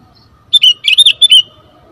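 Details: Sooty-headed bulbul, lure sound: one short bubbly phrase of about five quick whistled notes, slurred up and down and lasting under a second, against a quiet background.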